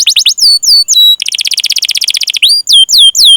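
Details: ['Lure song of a domestic canary meant to set other canaries singing: clear descending whistled chirps, then a fast buzzy rolled trill of about twenty notes, then more falling whistles.']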